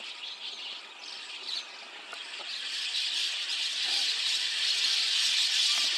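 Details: Mixed flock of white-cheeked and chestnut-cheeked starlings at dawn, 5 a.m., 29 June 2026, in Takata-cho, Rikuzentakata, Japan; a continuous shrill wash of countless overlapping squeaks and chirps that swells steadily louder toward the end.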